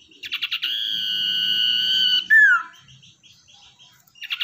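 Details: Captive common iora, wild-caught and kept as a lure, opens with several rapid pulsed notes, holds a long steady whistle, then slides down in a short loud slur, and starts the pulsed notes again.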